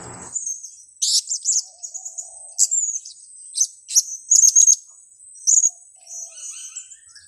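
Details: Blue-crowned hanging parrot trapping-lure calls. Shrill, very high chirps and short trilled notes are repeated in irregular bursts, with a quick rattle-like run near the middle and a constant high whine throughout.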